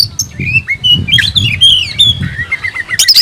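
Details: Kacer, the oriental magpie-robin, in energetic song said to be searching for an opponent; clear whistled notes sliding up and down, mixed with buzzy bursts, over a faint low rumble.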